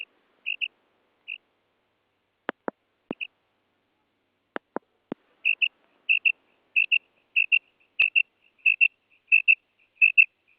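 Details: Female quail giving repeated high paired whistles, sparse at first then steady about every half second, with a few sharp clicks in the early part.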